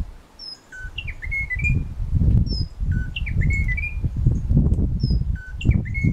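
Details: Endemic Munchique Wood-Wren (Henicorhina negreti) in Parque Natural Tatamá repeating a clear whistled song phrase about every two seconds, a high opening note dropping through lower notes, over steady low wind rumble.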